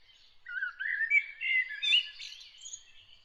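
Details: Bird singing early in the morning: a short, rapid, continuous warble of chirping and whistled notes that climbs from lower to higher pitch, then fades into faint twittering.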